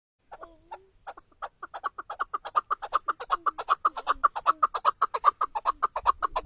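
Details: Male chukar partridge kept as a hunting decoy. After a few scattered clucks, sharp chuk notes speed up into a steady, rapid series of about two to three per second, with low sliding grating notes underneath.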